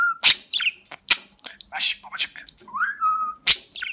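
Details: Talking budgerigar kept as a pet in Rize, Turkey, 2020, taught the words "Babacık Babacık Aşkım"; sharp clicks, short squeaks and a few drawn-out level whistles, with a rising then flat whistled phrase near the end.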